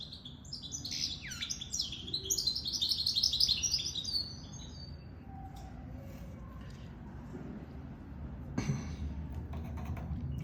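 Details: Goldfinch mule, a hybrid of goldfinch and canary, bursts into about four seconds of rapid, high twittering song, then falls quiet apart from faint scattered clicks and a knock near the end.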